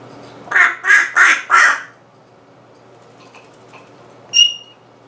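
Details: African grey parrot making funny sounds: four quick, harsh, quack-like nasal bursts packed into about a second and a half, then quiet, then one brief high whistled note.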